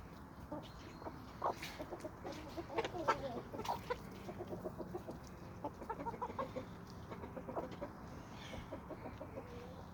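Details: A homestead flock of chickens and roosters on a small suburban homestead in Toxandria, with sandy soils. Busy, overlapping clucking runs throughout, with short bright calls peaking midway and a low background murmur.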